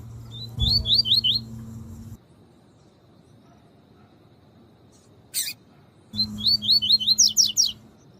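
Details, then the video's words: Double-collared seedeater singing the tui tui song style, used for training and warming up caged males and kept with a female: two bursts of quick, rising, high whistled notes in runs of four to six, split by a silent pause and one short buzzy note, over a low steady hum. "CANTO DO COLEIRO TUÍ TUÍ PERFEITO PARA TREINAMENTO DE COLEIRO TUI TUI E ESQUENTAR COLEIRO TUI TUI"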